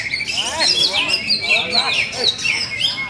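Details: An award-winning greater green leafbird for sale gives a quick run of loud, clear whistled notes, each sliding downward, repeated several times a second with softer chirps between.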